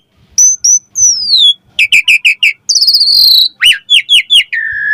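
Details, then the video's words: Javan pied starling song used as a lure to train young starlings: clear whistled notes sliding downward, bursts of quick repeated chirps, a high trilled phrase, then a long steady whistle, all loud and close. "Pancingan Jalak Suren Auto NYAUT RESPON Mompa Gacor Full Isian Buat Masteran Suara Burung Jalak Muda"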